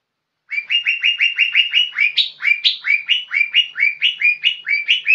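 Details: Lesser green leafbird, a young bird in full vigorous song. It gives a fast, steady stream of short chirping upslurs, roughly two per second, broken by a few higher, sharper accented notes midway. The background is clean and quiet.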